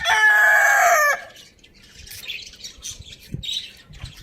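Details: Lohmann Brown rooster, a pet at Lalukhet bird market, crowing loudly in the morning: the drawn-out, harmonic-rich end of a crow lasts about a second, then high budgie chirps and twitters carry on behind.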